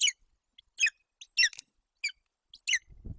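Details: Hungry golden eagle eaglet begging at its nest in Bucovina, Romania, June 8, 2021, while the mother feeds it roe deer; short, high, thin chirping squeals spaced irregularly, with a low rustle at the end.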